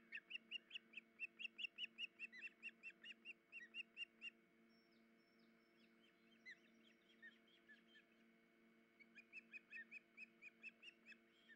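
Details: Osprey pair at a nest with chicks, the female injured in leg or foot, both adults alerting after being disturbed: rapid series of short high whistled chirps, about two per second, pausing midway then resuming, with a steady low hum beneath.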